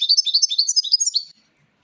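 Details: Goldfinch song phrase: a fast, liquid run of high twittering notes, about a dozen quick tinkling elements in just over a second, ending abruptly in silence.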